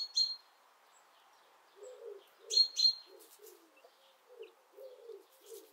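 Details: Pet Japanese quail pair dust bathing in warm weather give short high chirps, two sharp bright ones close together, over a string of soft low murmuring notes repeated every half second or so.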